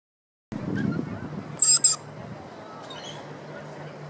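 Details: Two quick, harsh, high-pitched screeches from a rainbow lorikeet at the Royal Botanical Gardens, Sydney, then a fainter squeal, over a low background rumble and distant voices.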